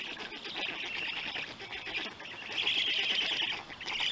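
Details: Black stork at a nest cam in Poland at feeding time, 31 May 2020, 3:55 p.m.: a continuous, high, wheezy hissing chorus that swells louder and brighter in the last second or two.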